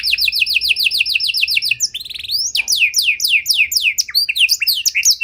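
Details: Panda canary song with luxurious cengkok, used to prompt and train other canaries: a fast series of repeated whistled notes, a short buzzy run, then a lively mix of downslurred whistles.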